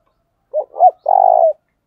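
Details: Spotted dove used as a decoy, thổ đồng voice, calling: one three-part coo, a brief note, a swelling arched note, then a longer buzzy, tremulous note that drops slightly at the end, in clean silence.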